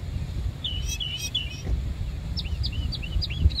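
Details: Bird song recorded in Savannah: sweet whistled notes, then a run of rising and dipping slurs repeated quickly, with a constant low road hum in the background.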